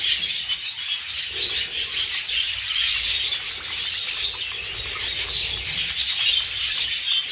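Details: Flock of jumbo and crested budgies kept in a breeding aviary at feeding time, chattering continuously with overlapping shrill chirps and warbles, plus a soft low rumble of handling noise.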